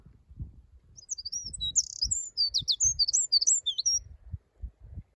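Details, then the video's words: Bird singing: rapid, high, thin chirps and twittering notes, many short rising and falling slurs packed closely together, with soft low thumping noises underneath. "Bird singing"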